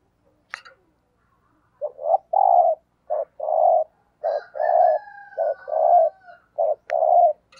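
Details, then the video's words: Spotted dove decoy calling the thúc gù lure coo: after a sharp click, low hollow short-then-long coo pairs repeat about once a second, with a thin steady whistled tone in the middle. "Tiếng Chim Cu Gáy Thúc Gù - Chim Cu Mồi"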